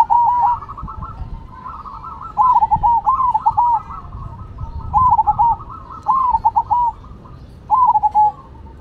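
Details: Zebra doves of the Cemani and Silver varieties singing against each other; bubbly cooing phrases of quick rising-falling notes repeat every couple of seconds, with a fainter second dove cooing steadily between phrases.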